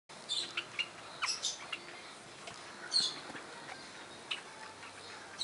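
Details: Barred parakeets giving short, high, sharp chirps and squeaky notes in scattered bursts, with quieter gaps of faint hiss between calls.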